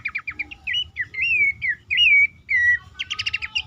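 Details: Horsfield's babbler lure call for stressed or silent caged birds. Quick chips lead into a series of loud, drawn-out whistled slurs, then a dense rattling burst of rapid notes.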